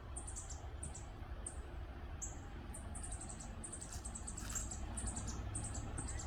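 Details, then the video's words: A Northern parula fledgling at Lettuce Lake Park, Tampa, Florida, on 2 May 2022, gives very high, thin chips in quick clusters, about two bursts a second, over a steady low rumble of background noise. "Northern Parula Fledgling sound effects"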